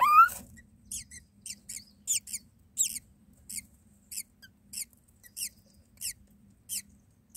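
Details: Myna chicks in the nest on their second day, being fed by the mother: thin, very high squeaky calls repeated in short bursts roughly every half second, after an opening rising squeal, over a faint low hum.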